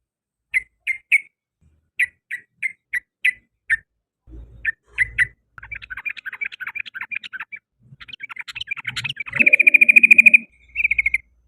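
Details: Sooty-headed bulbul in the afternoon: spaced single chirps, then a dense chattering run, ending in a fast, even trill.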